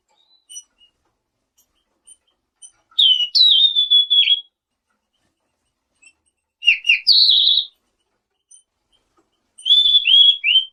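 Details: Selendang biru in full song, used to draw replies from other birds: three loud bursts of clear high whistles, each a long sliding note with rapid chirps around it, separated by pauses of about two seconds.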